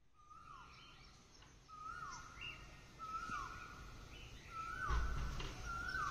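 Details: Asian koel calling in the morning: five loud, clear notes, each held level then dropping at the end, repeated about every 1.3 seconds and growing louder. Faint background hum throughout.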